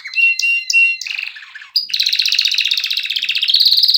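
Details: Canary singing: clear whistled notes near the start, then a long fast buzzing trill of rapidly repeated notes that rises slightly toward the end.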